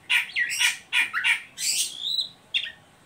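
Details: An Oriental magpie-robin in ngeriwik call, used as a lure to get young birds singing: loud harsh scratchy notes in quick bursts, followed by a drawn-out whistle and a final short chirp.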